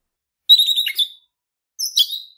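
Red-rumped parrot giving two bursts of bright, warbling chirps, high-pitched and rapidly modulated, the second phrase shorter and rising.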